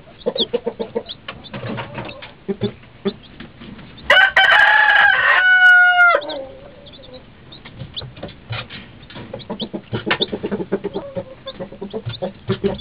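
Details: Two-day-old chicks drinking beside their mother: high, thin peeps and low clucks run throughout, broken in the middle by a loud, drawn-out rooster crow lasting about two seconds.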